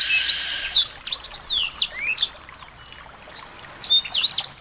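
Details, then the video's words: Small-bird tutor sounds played to excite a white-rumped shama: a loud buzzy start, then clear rising and falling whistles, a quiet gap of about a second, and more sharp slurred notes. "masteran burung kecil agar murai batu gacor"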